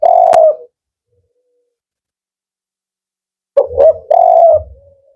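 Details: Male spotted dove in the 'Kuk 4' call style: a sustained mellow coo, a pause of about three seconds, then two short coos and a long held coo ending in a faint trailing note. Soft low thumps accompany the later coos.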